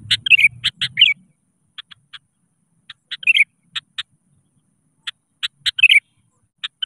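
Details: Sooty-headed bulbul (kutilang) singing vigorously to challenge rivals, meant to lure other birds into song; short clicky notes and bubbly warbled phrases in loose bursts, with a low rumbling noise during the first second.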